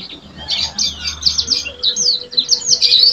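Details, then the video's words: Energetic yellow-fronted canary song, a continuous stream of high, rapid chirps and warbled trills, dense and scratchy, with a faint steady tone and low rumble behind. "Suara burung sanger gacor"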